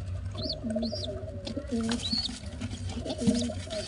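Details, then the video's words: Pigeon chicks being fed by a parent: thin squeaky peeps arching up and down, repeated every half second or so, mixed with low soft buzzy notes over steady background hum. "pigeon babys sounds"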